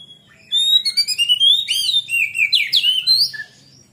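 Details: Oriental magpie-robin singing vigorously, a recording used to lure and train young birds: bright whistled phrases, looping up-and-down sweeps and chattering trills in a three-second burst, with a faint low hum underneath.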